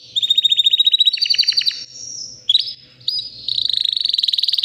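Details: White canary, roughly three years old and ready to breed, sings a fast machine-gun trill of clipped notes, pauses briefly, then resumes with a bright sustained high rattle; faint low background hum.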